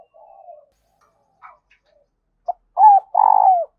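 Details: Spotted dove kept as a lure bird, heard first as soft faint cooing, then a short note, an arched coo and a long throbbing coo, loud and close.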